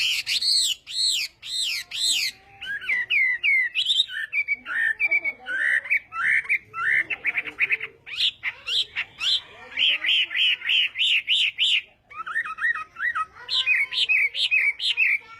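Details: Chinese hwamei in morning voice practice, loud arched whistles repeated at the start, then varied slurred, buzzy and chattering phrases through a long continuous song.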